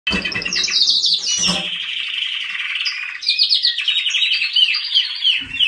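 A canary sings a continuous, rapid song of bright trills and rolling warbles, high-pitched and sustained, with brief low thumps near the start.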